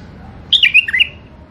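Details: A single brisk bulbul phrase from a tame caged male-and-female pair: five or six liquid whistled notes tumbling downward then lifting, clear and loud against a quiet background.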